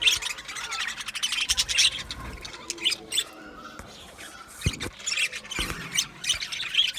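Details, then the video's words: Budgerigar colony in an aviary keeps up a steady stream of high warbled chirps and squeaks, with several short clicking or tapping sounds breaking through the chatter. "Budgies chirping sounds"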